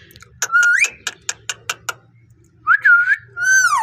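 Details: Parrot giving a wavering whistle, a rapid series of short clicks, then warbling whistled notes and a final falling harmonic call.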